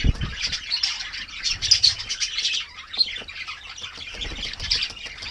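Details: Kākāriki (New Zealand parakeets) bathing on a mild winter's morning, chattering in quick, scratchy high notes with brief louder squeaks, over splashing water and wing flutters.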